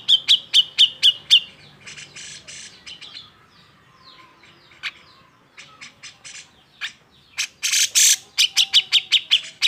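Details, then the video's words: Cucak jenggot giving an agitated, emotional song used to provoke lazy birds into singing: rapid runs of sharp, high chirps, a scratchy pause with softer notes, then a loud burst of harsh squawks and chirps. "Gunakan Suara Jenggot EMOSI ini untuk MEMANCING CJ yang MALES BUNYI"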